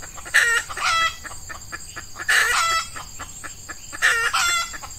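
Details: A female red junglefowl used as a lure for wild males, early morning during Ramadan in hot weather with males in breeding condition, gives loud, harsh, harmonic bursts under a second, about every two seconds over a hissy background.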